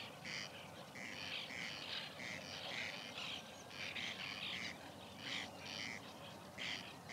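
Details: At a white-winged tern nesting colony in 2021, short harsh calls repeat roughly every half second, several birds overlapping in an uneven, chattering rhythm.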